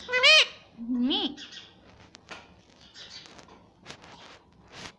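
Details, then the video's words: Pet green rose-ringed parakeet talking, saying "mummy": two loud, voice-like syllables with rich harmonics, the second lower and drawn out. Softer clicks and faint chirps follow in a quiet room. "Talking parrot || talking parrot mummy papa || bolne wala tota"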